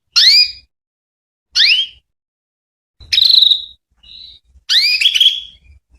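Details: Female canary calling to males, used as a lure to which male canaries reply: four clear whistled calls, each a bright rising-then-falling sweep with harmonics, separated by about a second of silence, the last ones longer and more warbled.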